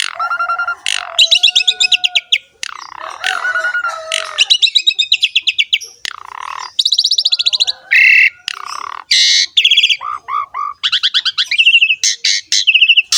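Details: Asian pied starling song packed with varied phrases: fast rattling trills, buzzy bursts, whistled notes and rising sweeps run almost continuously with short gaps, clear and close with no background noise.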